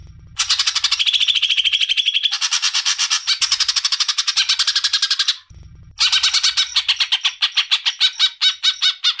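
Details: Greater green leafbird song from a recording meant for tutoring songbirds: long rapid trains of sharp, rattling notes, a brief sweeter whistled passage, then a short pause and a faster staccato burst.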